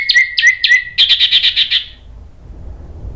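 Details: Orange-headed thrush lure song to prompt other thrushes to sing: three clear whistled notes, then a fast buzzy series of about eight harsh repeated notes, followed by low background noise.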